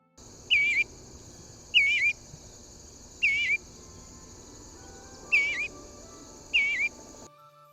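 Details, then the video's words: Eastern Bluebird giving five soft, warbled notes that rise and fall, each about a second or more apart, over a steady high hiss. "an eastern bluebird sounds like this"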